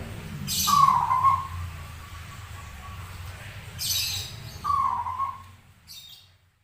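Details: Rare zebra dove with a strange but frequent song: two wavering whistled coos roughly four seconds apart, alongside hissing rustles and a low rumbling background that fades toward the end.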